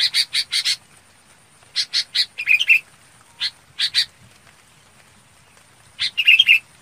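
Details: Red-whiskered bulbul (Chào Mào Bông) calling its flock in bursts: fast runs of four harsh notes, mixed chattering with short whistles, single rasps, and long pauses between groups.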